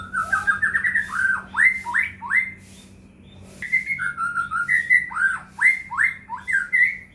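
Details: White-rumped shama song meant to provoke other shamas into singing: long, rich sequence of fluty whistles and rapid slurred notes, a short pause, then more varied repeated phrases, over faint hum.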